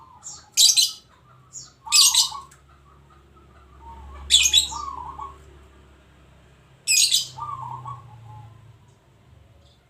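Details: Local zebra dove singing: soft, rolling, trilled coos at a low-mid pitch, repeated several times, broken by loud sharp high chirps from another bird.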